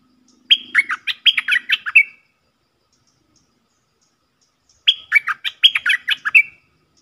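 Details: Stripe-throated bulbul giving two matching bubbly phrases as a decoy song. Each is a run of quick, slurred notes ending on a level whistle, about three seconds apart, with a faint hum during the first.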